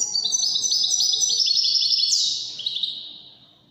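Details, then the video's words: European goldfinch giving a continuous, rapid twittered phrase in the Moroccan Widani manner, with ringing high notes, a sweeping flourish near the end, and a slow echoing fade. "الحسون الويداني الملك الذي يستحق استماع وتمتع في ادائه في التغاريد الويدانية المغربية"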